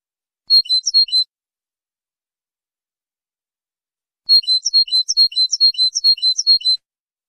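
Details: Training recording of a European goldfinch singing: a brief high twitter, about three seconds of silence, then a rapid, lively sequence of tinkling chirps and short buzzy notes, clean with no other sounds.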